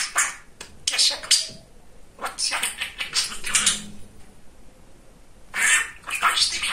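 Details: Talkative pet male budgerigar producing quick runs of raspy, high-pitched mimicked speech in several separate bursts, with a short quiet stretch before a final flurry of chatter.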